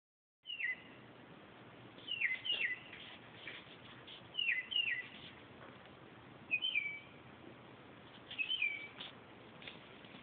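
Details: Northern mockingbird singing at night around 2:30 am, a series of varied whistled phrases with slurred down-sweeping notes and short chirps, each phrase often given twice, separated by pauses of a second or so over steady background hiss.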